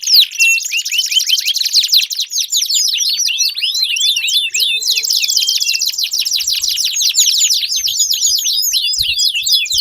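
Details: Canary song played to stimulate a silent canary into singing; loud, unbroken high trills and rolling, sweeping notes pour out continuously for ten seconds, with a few faint low thumps near the end.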